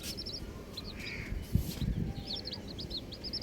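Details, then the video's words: Colourful baby chickens chirping: short high peeps in loose bursts, some in quick runs near the end, over steady low rumble and a brief humming band midway. "Colourful Baby Chickens | Cutie Chicks Chirping Sounds"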